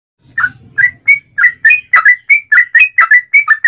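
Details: Sooty-headed bulbul in active song, used as a lure to provoke other bulbuls to sing: a series of bubbly, slightly rising whistled notes near mid pitch, spaced roughly every quarter second, getting louder and steadier.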